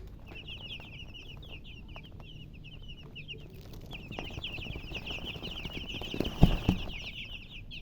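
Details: Young chicks cheep rapidly and almost nonstop, high thin peeps packed closely together, a short pause midway, then louder handling thumps and low rumbling near the end.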